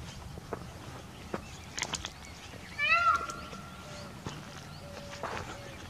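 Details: Indian peafowl giving one brief call: a rising, ringing onset that settles into a held, steady tone, heard against a faint rural background with footsteps and scattered clicks.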